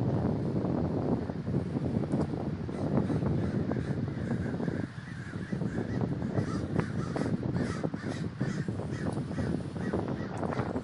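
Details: Crows at a great communal gathering in Davis, California, producing a loud, unbroken roar of countless overlapping harsh caws throughout, with a brief dip in the middle.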